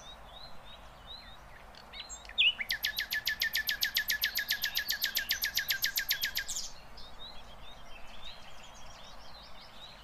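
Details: Flycatcher known locally as sikatan londo, with a harsh 'tembakan' song meant for tutoring songbirds; soft high chips, then a fast, even, metallic trill lasting about four seconds, followed by scattered faint chirps.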